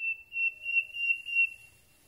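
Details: Common Nightingale at night, recorded from very close: a pure, steady high whistle held for about one and a half seconds, swelling and fading in soft pulses.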